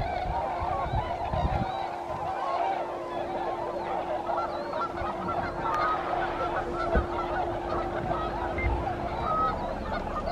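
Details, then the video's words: A large flock of tundra swans resting and refuelling at their yearly stopover in Aylmer on spring migration from the southeastern United States to Arctic breeding grounds; dense, continuous chorus of soft, mellow hooting and yodelling calls over a low steady hum. "Tundra Swans"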